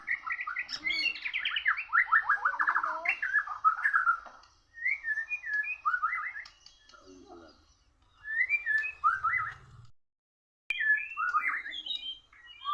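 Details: Oriental magpie-robin in a singing contest with a Borneo bird. Long, varied bursts include rapid descending trilled runs, short rising and falling whistles, and scratchy notes. Phrases are broken by brief pauses and a low rumble.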